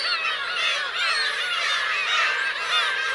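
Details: On the Kurosaki shore of Teuri Island, Hokkaido, Japan, 17 June 2021, Black-tailed gull adults and chicks keep up a thick wall of overlapping wailing calls, rising and falling, about two calls per second.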